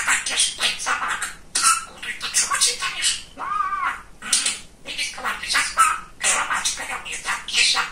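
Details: A talkative male pet budgerigar chatters in fast, raspy, high-pitched bursts of mimicked speech, short phrases broken by brief pauses, with a few thin whistled notes mixed in.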